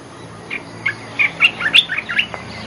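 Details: Lure call of olive-winged bulbul: soft chirps growing into a quick sequence of bright, slurred notes, the loudest in the middle, over a faint hiss.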